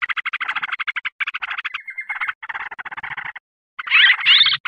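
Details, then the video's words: Sooty-headed bulbul lure recording meant to agitate and attract wild birds: fast, buzzy chattering notes in rough bursts, a brief flat whistled note near the middle, then two louder rising, squealing phrases after a short pause. "Mp3 Pikat B4ru Bikin Trucukan Liar Em0si"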